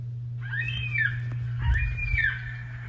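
Two long, drawn-out wailing calls from a Yellow-tailed Black Cockatoo, each rising then sliding down, about a second apart, over a steady low electrical hum.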